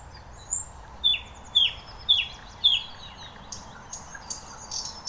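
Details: Thrush nightingale in song at Lake Iidesjärvi, Tampere, Finland: a series of five sharp, falling whistled notes about half a second apart, followed by faint high twittering against a low steady hiss.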